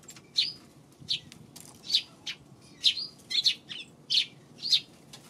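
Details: Repeated loud chirping by Eurasian tree sparrows on 2 March, sharp high notes about twice a second, some doubled, with a faint low hum beneath.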